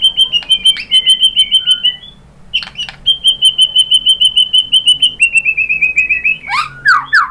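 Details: White-rumped shama song used to lure other birds into answering: long rapid trills of evenly repeated high notes, a short pause, then another trill ending in swooping whistled notes.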